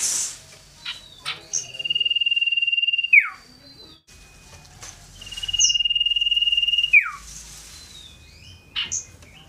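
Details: Loud, shrill scarlet-headed flowerpecker (cito sirdum) hopping here and there as it sings; two long level buzzy trills, each closing with a falling slur, followed by scattered high chips.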